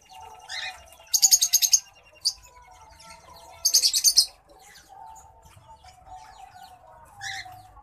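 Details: White-headed munia courtship song: two fast, high-pitched pulsed rattles several seconds apart, separated by soft scattered chirps, with a faint final burst and a constant low hum.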